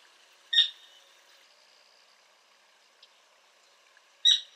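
A Sora gives two sharp, high keek notes about four seconds apart over a faint, steady background hiss.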